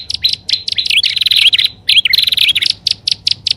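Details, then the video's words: Lure recording of prinias mixing two styles, upper and lower: bursts of rapid, high chirps and buzzy, rattling notes, with short pauses and sharp single tweets near the end. "SUARA PIKAT BURUNG PRENJAK ALANG ALANG+PRENJAK ATAS DAN BAWAH"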